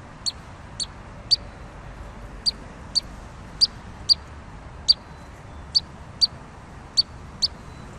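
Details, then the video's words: Pygmy nuthatch giving short, high, sharp single peeps spaced about every half second, some gaps slightly longer, over a steady low hiss. "Canto del Trepador Enano"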